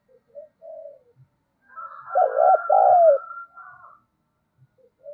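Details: Decoy spotted dove cooing, used to provoke calling: soft distant coos build into a loud paired coo phrase under a steady higher whistle-like tone, then fade back to quiet coos.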